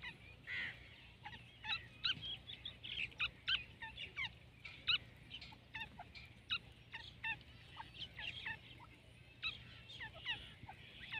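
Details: Partridge heard fairly distant, giving many short, high, scratchy notes in uneven clusters throughout, over a low steady hum.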